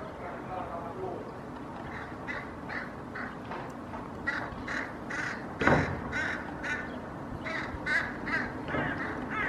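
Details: Hooded crows in a Helsinki park, Finland, 8 May 2024, mobbing and chasing a Common Raven carrying pigeon pieces: harsh, rasping caws repeated in uneven bursts roughly twice a second over steady outdoor background noise.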